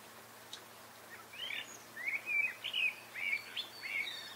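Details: Eurasian wren singing: a series of short, bright, arched notes high in pitch, repeated roughly every half second over about three seconds, with faint background hiss.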